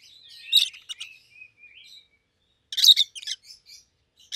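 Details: Pair of pet rosy-faced lovebirds, yellow and green, red-headed: a shrill chirp burst, soft chattering and thin whistles, then a second loud cluster of harsh screechy chirps.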